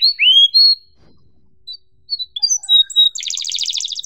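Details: Canary song used as a tutor recording for young canaries learning sounds: sweeping whistled notes and scattered high chirps, then a short silence and a fast, dense, buzzy roll near the end.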